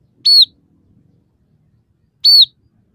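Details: Scaly-breasted munia, its song said to hold three variations with mimicked house sparrow, red siskin and canary phrases: two brief high whistled notes sliding downward, about two seconds apart, in near silence.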